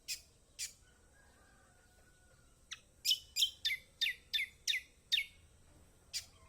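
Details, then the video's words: Kecial kombok singing in a training recording meant to get lazy birds calling: a few thin high notes, then a burst of seven quick whistled downslurred chirps, ending with one more note. "Masteran Kecial kombok/kecial kombo || Pancingan buat kecial kombok malas bunyi auto gacor!!"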